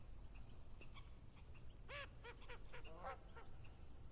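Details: Canada geese recorded in Yellowstone National Park give a quick run of six or seven nasal, rising-falling honks mid-clip over a steady low rumble.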